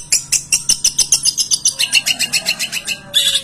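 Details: A long-tailed shrike sings energetically, its song full of mimicked notes of other birds. A fast string of clipped, high ticking notes roughly five per second blurs into a denser twittering trill, ending in a short squeaky phrase.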